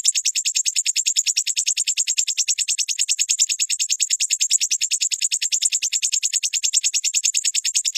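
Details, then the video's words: Crimson sunbird trill from a training recording for caged birds: a long, very even, high buzzy trill of rapid identical pulses that holds steady throughout, with a clean, quiet background. "Dalam hitungan menit burung sogonmu ikutan gacor dan ngeleper"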